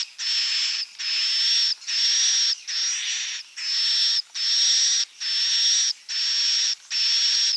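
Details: Swiftlet roosting call, a lure sound for swiftlet houses: a hissing, buzzy note with a thin high whistle on top, each lasting most of a second and repeated steadily about once a second.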